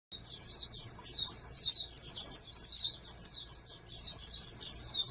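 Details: Captive-bred oriental white-eye, raised as a prospective national contest champion, singing a fast, high, twittering warble of rapid slurred notes in tight bursts, with short pauses near the second and fourth seconds; faint steady hum beneath.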